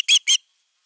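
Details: An osprey defending its nest on a nest camera in Finland, 31 August 2021, gives two sharp, high, piercing alarm notes in quick succession, then falls silent.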